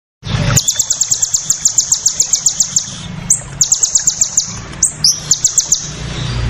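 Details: Crested jay giving its rapid-fire "shooting" call, used as a tutor recording: bursts of sharp, very high, clicking notes in fast machine-gun series, about seven per second, over a low steady hum.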